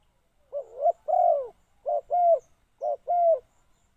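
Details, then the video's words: Luring wild doves, a decoy spotted dove repeats a low two-part coo phrase three times, a short note followed by a longer, drawn-out, arching coo, roughly one phrase a second in a quiet setting. "chim cu mồi gáy gọi bổi"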